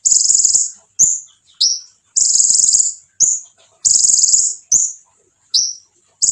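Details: Konin singing to make other konin react: very high buzzing trills alternate with short swooping chips that drop in pitch, repeated back and forth in a regular rhythm.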